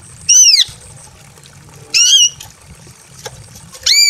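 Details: Female greater green leafbird in breeding condition calling a male from a simple aviary: three loud, harsh, arched squawks spaced about 1.7 seconds apart over a low background hum.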